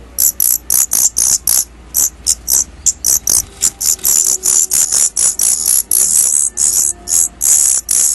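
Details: Newly fledged Daurian redstarts leaving the nest for the first time keep up a fast, almost continuous chatter of piercing high notes, merging into near-unbroken runs toward the end.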